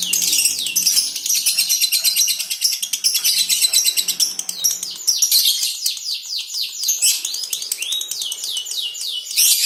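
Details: Lovebirds in a colony, with a female described as 'konslet', giving a dense, fast stream of high, scratchy chirps and rapid twittering trills that continue without pause.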